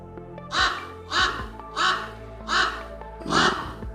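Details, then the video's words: Raven calling on the Bueno Paso trail in Fuerteventura, alerting other birds to a hiker's presence: five harsh, hoarse caws spaced about two-thirds of a second apart, over background music. "jakiegoś kruka słychać, który zawiadamia inne ptaki o mojej obecności."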